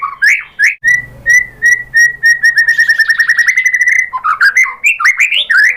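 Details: White-rumped shama singing as a lure for replies from other birds: a few swooping notes, then a long rapid series of short whistles that speeds up, ending in varied slurred phrases.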